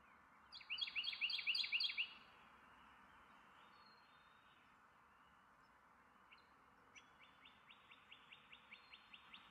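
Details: Carolina wren giving a loud burst of quick rolling phrases for about a second and a half. A quieter, even series of similar repeated notes follows after a pause, over soft background noise.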